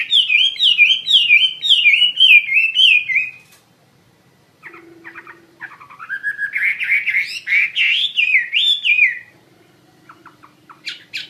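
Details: Chinese hwamei, vigorous song: a run of repeated zigzag whistled loops, a pause, a short scratchy passage, then a second rising, rolling whistled phrase, ending with scattered sharp notes and a faint low hum.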